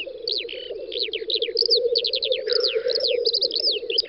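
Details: Spring lek of black grouse in a field, Volga federal district, western Russia, 9–10 May 2019; a dense, unbroken low burbling coo, overlaid by sharp rising and falling whistles of other birds and a brief hiss.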